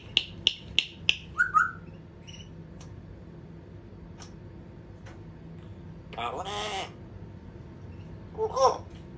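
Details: African grey parrot giving a quick run of five sharp clicks, a short whistled note, then a harsh, raspy squawk with stacked tones, and a brief rough call near the end, over a steady low background hum.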